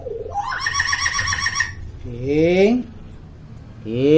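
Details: Common hill myna chatters indoors, a tutor recording for silent young mynas: a rising nasal harmonic cry, then two short voice-like rising syllables separated by a pause, with a low background hum.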